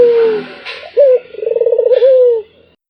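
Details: Melodious non-stop cooing of a Barbary dove: the tail of a falling coo, then a brief sharp note, a quick throbbing trill and a drawn-out, gently descending coo.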